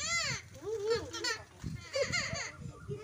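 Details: A talking Alexandrine (hill) parakeet, coaxed by people to speak, imitates human speech in a few short, bright, strongly tonal phrases with arching pitch, amid people talking nearby.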